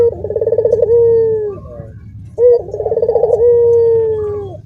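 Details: Two full coos from a caged Barbary dove with cagemates joining in, each a fast rolled trill leading into a drawn-out falling hoot, over a low background hum.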